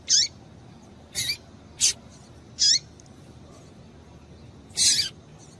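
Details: Female double-collared seedeater call, used to excite and stir males into singing: five short high chirps spaced irregularly over five seconds, each bright note ending in a quick downward slur, against a quiet background.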